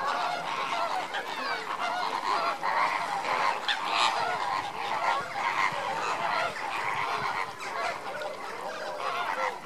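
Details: A dense captive flock of lesser flamingos during an enrichment session keeps up a continuous nasal, goose-like honking and murmuring chorus, with many overlapping calls throughout.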